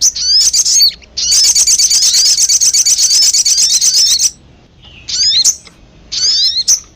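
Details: High sogon twittering used for luring birds: a few sweeping chirps, then a sustained, dense buzzy chatter lasting three seconds, followed by isolated squeaky notes.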